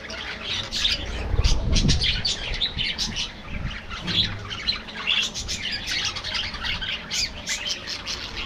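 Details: Budgerigars in a colony kept in an aviary give dense overlapping warbled chirps and squawks, with low rumbling thumps early on and a steady murmur underneath.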